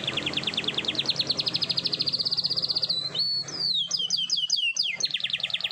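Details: Morning song of a canary with long rolls: a fast high trill of repeated notes, then a pause into swooping descending whistles repeated about twice a second, closing with another rapid trill.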